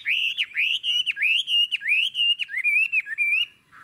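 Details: Hwamei with a long, forest-quality ngũ trường song: pure, ringing whistles rising and falling in quick succession, about a dozen linked notes, then a brief pause. The background is quiet.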